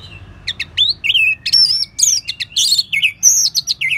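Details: Dense, rich orange-headed thrush song of varied, warbled phrases that slur up and down with hardly a pause. It serves as a tutor recording for other birds.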